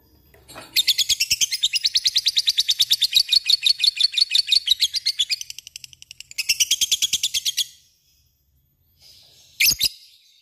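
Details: Lovebird singing in the ngekek 'typing' style: a long, fast series of sharp, high clicking chirps that fades, then a shorter burst, a pause, and one final squeaky note.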